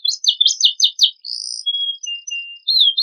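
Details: Canary with a rich, varied song used as a master recording to provoke other birds into singing: rapid bursts of warbled, chattering notes, then long steady whistles and a trilled phrase, all high-pitched and clean with no other sounds.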